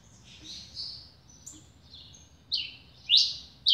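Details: Caged double-collared seedeater, a new bird, giving scattered high whistled notes followed by two loud sharp downslurred chips.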